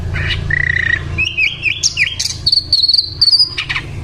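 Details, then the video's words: Hill Blue Flycatcher song of varied whistled phrases: a short steady whistle, quick warbled slurs, then a long high wavering trill held for over a second, with faint low hum behind. "sikatan Londo gacor"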